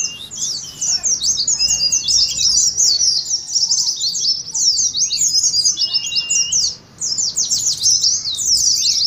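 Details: Oriental white-eye flock-style ngeriwik twittering used to provoke singing: very high, busy chirping runs almost continuously, briefly dipping quiet near the end before resuming.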